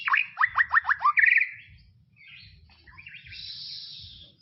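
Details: White-rumped shama in tropical forest: five or six quick, descending whistled notes in a burst and a short trill, followed by fainter, hissy high warbling over low background noise.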